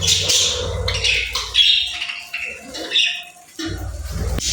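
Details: Budgerigars chirping, mixing squeaky high notes and harsher squawks in an uneven, chattering flow, with a soft low rumble at the start and end.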